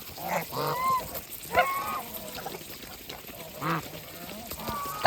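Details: Farm geese feeding in the countryside give harmonic honking calls, several loud nasal honks near the start, another around one and a half seconds and another near the end, with quieter chatter and background noise between.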